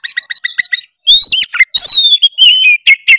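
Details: Oriental magpie-robin in gacor full narung song, used to wake a quiet kacer into singing. A string of rapid repeated chirps opens, then a brief gap and long slurred whistles drifting downward.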